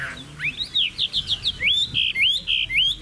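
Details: Chinese hwamei song from a caged bird: clear rising whistles followed by a run of about nine short, loud slurred notes, some bending upward, delivered quickly at nearly two per second.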